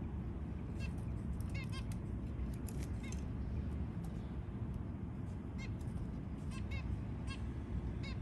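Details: Nasal, trumpet-like calls from a white zebra finch as it feeds its newborn young, some given in quick pairs, spread across the clip over a constant low hum.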